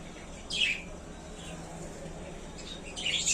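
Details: Budgies in their new small cage, described as very happy, give two brief bright chirps, one early and one at the end, with quiet between.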